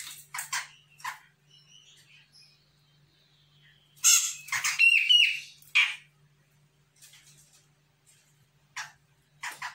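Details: Sumatran grey-cheeked bulbul, a young bird, answering a lure: sharp clicking chirps, then a loud cluster of harsh grating notes with nasal ringing tones midway, followed by sparse quieter chips.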